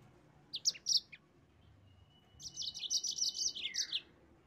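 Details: Yellow-fronted canary song to provoke rival birds: a few sharp high chirps, a pause with a faint thin whistle, then a fast run of bright twittering notes.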